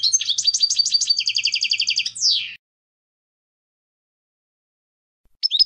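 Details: European goldfinch twittering song: quick chattering notes merge into a fast buzzy trill, then a falling slurred note, a pause, and the song resuming.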